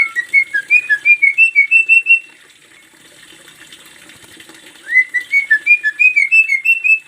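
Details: Javan myna master training song: two bursts of rapid, bright whistled notes, about a dozen each, quick and rhythmic at a high even pitch, separated by a quiet pause of about two seconds.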